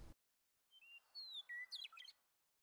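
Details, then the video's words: Western meadowlark singing faintly in the far distance on an early August morning near Sevenmile Creek, Big Belt Mountains: a few clear flute-like whistles sliding downward, then a quick bubbling, gurgling flourish, after a brief thump of noise. "Once in a while, we can hear a western meadowlark singing faintly in the distance."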